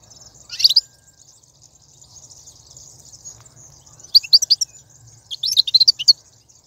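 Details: Wild goldfinch 'bitbita' recorded in 2019, played to get caged goldfinches singing: three bursts of rapid, high, jingling twitters, the last a run of about eight quick notes, over a faint steady hiss.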